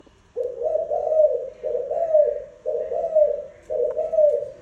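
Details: Spotted dove giving four husky, mellow cooing phrases, each about a second long with a slight lift and fall in pitch, repeated almost back to back in a quiet setting.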